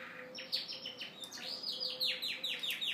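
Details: Singing Yorkshire canary male courting the hen: a dense run of fast, repeated downward-swept notes forming a loud rolling trill, pulsing several times per second, with a faint hum below.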